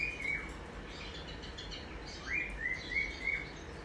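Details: Morning cockatiel chirps, possibly from recorded cockatiels played to Nova and a baby cockatiel to inspire singing: short, bright whistled notes in a quick, loose series over soft hiss.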